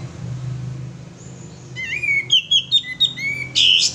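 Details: Male sooty-headed bulbul singing as a lure: after a quiet start, a rising whistle leads into four quick bright chirped notes, another upslurred whistle and a closing harsh scratchy burst.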